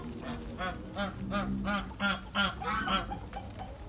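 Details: Ducklings giving a steady run of loud, nasal, honk-like calls, roughly nine evenly spaced notes in under four seconds, each with a rich harmonic, slightly arched tone.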